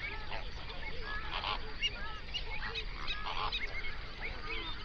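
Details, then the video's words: Large flamingo flock on a South African lake in the Overberg region, binaural recording made at dawn. Goose-like honks and gabbling notes overlap in a thick chorus, with occasional louder bursts. "Flamingo sounds"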